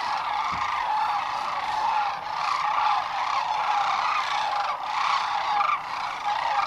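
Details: A dense chorus of sandhill cranes settling for the night on the Platte River near Gibbon, Nebraska, spring 2015, before a hawk panics them into flight at sunset: rolling, rattling bugles overlapping into a steady roar that swells and dips.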